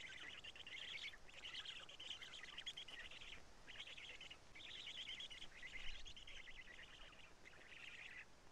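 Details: Black stork nest in Karula, Estonia, 2 June 2017, 20:04, during nest change and feeding; rhythmic bouts of breathy, rasping wheezes, about eight separate bursts, each lasting under a second, with faint background noise.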